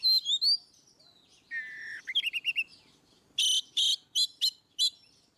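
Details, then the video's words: Ngeplong style Oriental magpie-robin song, played to spur rarely singing birds: opens with whistled sweeping phrases, then a low buzzy trill, a rapid run of short notes, and a series of loud harsh bursts. "Kacer ngeplong | Masteran burung"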